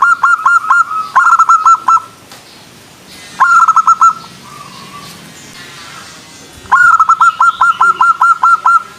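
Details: Zebra dove, local bird, presented as a female calling to males: three bursts of rapid, clipped, identical coo notes at a steady middle pitch, each burst lasting about a second, quiet hiss between.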